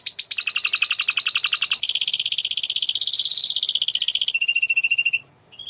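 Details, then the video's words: Singing Spanish Timbrado canary from Rhodes, Greece, a yellow tenor, runs fast descending repeated notes into a long steady high trill, then a lower rolling phrase, ending abruptly into near silence. "TIMBRADO ESPANOL"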